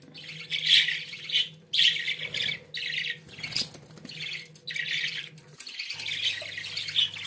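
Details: Pet budgerigars singing a continuous scratchy warble of rapid chattering phrases, each burst lasting about half a second with brief gaps, rough and buzzy throughout, against a low steady hum and a faint thud midway.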